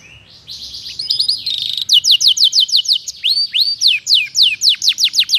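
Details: Canary in full, lively song, used as a tutor and stimulus for magpie-robins: a brief buzzy trill, then fast series of high descending whistled sweeps, about three per second, with a few rising upslurs in between.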